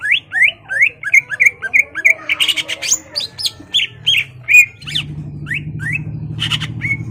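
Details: Greater green leafbird singing hard to rouse a rival to fight: a fast series of short upward-flicking whistles, about three a second, then mixed chips and whistles over a rising low hum.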